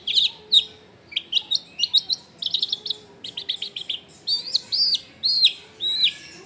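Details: Long-tailed shrike delivering a loud 'full isian' song at a home in a crowded neighbourhood: brisk clusters of sharp high chirps, then several arched, slurred whistles near the end, over faint background noise.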